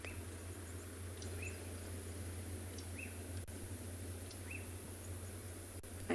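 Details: A black-backed puffback, heard but not seen on a morning game drive on 31 August 2020, gives short, sharp whistled notes about every second and a half over a steady low engine rumble.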